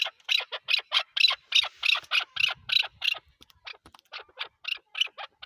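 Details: Chukar partridge, the national bird of Pakistan, giving strident squawking chuck notes about three per second, fading to softer spaced calls after a short pause.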